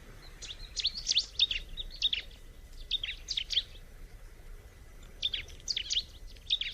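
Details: Bar-winged prinia in a natural setting sings clusters of sharp, high, chirpy notes in short bursts separated by pauses, with a constant low hiss of ambient noise beneath.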